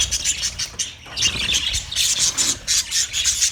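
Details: Budgies recorded 29 February 2024: bursts of sharp, high squeaky chirps in quick clusters, with a short lull just before the chatter resumes.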